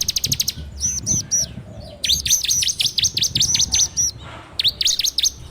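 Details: Ciblek, the bar-winged prinia, singing in the fast 'ngebren' style as a training lure, recorded on an Android phone: dense runs of high, sharp V-shaped chips repeated rapidly, broken by brief pauses, with faint low background rumble.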